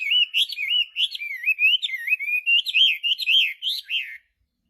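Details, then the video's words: Energetic song of a Chinese hwamei: rich, fluty whistles in a rolling chain of wavering up-and-down notes, rising toward the end before stopping abruptly into silence. "Kicauan Burung Hwamei//Wambi Gacor"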